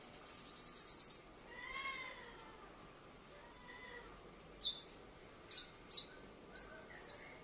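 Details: A white-bellied five-colour sunbird, a trapped decoy bird taken out for morning exercise on 21 May 2020 in Quang Ngai, sings a quick accelerating series of high thin notes, then pauses and gives sharp, high chipping notes about a second apart.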